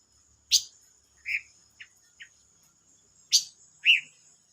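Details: Silver-eared mesia, recorded 25 May 2022, giving short sharp chirps and a few soft clicking notes at irregular intervals against a quiet background.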